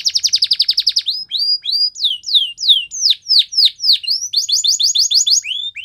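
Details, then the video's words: A canary's song moves from a fast rattling trill into looping rising and falling whistles, then another quick roll of repeated syllables; clean and close, no background noise. "Canary Birds Song | The Best Canary Sounds"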